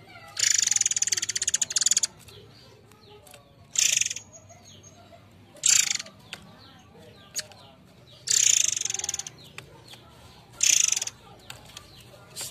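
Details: Murai Air, used as a lure song for the species: loud bursts of dense, high rattling, trilling notes lasting up to two seconds, separated by pauses, with softer chirps and clicks between bursts.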